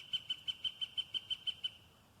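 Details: Pileated woodpecker calling live on a late-June afternoon at Cathedral Point above Trout Lake, Wisconsin's Northern Highlands-American Legion State Forest, likened to a tropical bird: about ten quick, even, ringing notes over under two seconds, then stopping.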